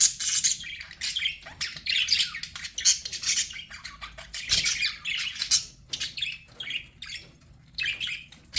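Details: Pet budgerigars chirping: bursts of buzzy, scratchy warbling and sharp high squeaks in quick clusters, with short quiet pauses between bouts and no other sounds.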